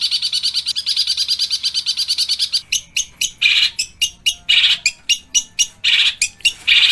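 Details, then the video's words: Pentet (long-tailed shrike) in a full harsh training recording imitating sparrows and other birds: fast chattering trill for two and a half seconds, then loud separate rasping chips and short buzzy bursts. "MASTERAN PENTET FULL TEMBAKAN KASAR GEREJA TARUNG_TENGKEK BUTO_KUNTI!!!"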